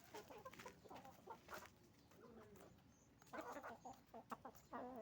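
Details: Chicken farm with roosters and hens calling together: dense, overlapping clucks and cackling squawks in bursts, busiest at the start and again in the second half, against a constant farm hum.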